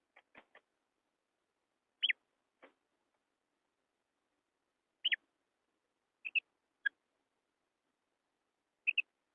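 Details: Female quail call used to lure quail in wheat-field hunting: short sharp double clicks and chirps, scattered irregularly over about nine seconds against silence.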